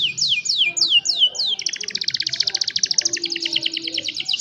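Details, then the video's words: Young canaries singing to train other canaries, cellphone recording; five falling whistled notes lead into a long fast rhythmic pulsed trill at about seven notes a second, strong and clear. "Young Canaries Sing for Your Lazy Canaries | Canary Singing"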